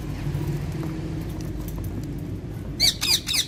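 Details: Playful pet Alexandrine parrots give three loud, raspy squawks in quick succession at the end, after a stretch of low hum.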